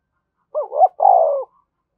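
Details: Spotted dove coo used to call in wild doves, thúc bổi style. A single phrase: a wavering, rising two-note lead-in straight into a longer, steady then falling coo, with nothing else heard.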